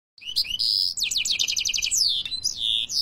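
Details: European goldfinch, Algeria, singing a bright, high twittering song: rising whistled notes, then a fast run of repeated sharp chips and liquid trills, ending in a drawn-out downslurred whistle.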